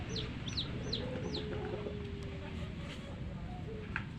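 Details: Young hen chicks: four clear, sharply falling high peeps in quick succession at the start, then sparser faint chirps over a steady low hum.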